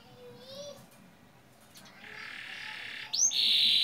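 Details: Canary lure song for young canaries: a soft low whistle, then a buzzy trill ending in a sharp rising note and a bright sustained buzz.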